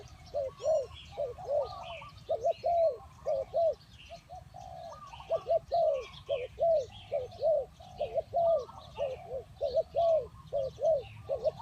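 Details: Spotted dove cooing in dense bursts of short, arched, hollow notes, several groups of three to six coos across the recording, with faint chirps of other birds above.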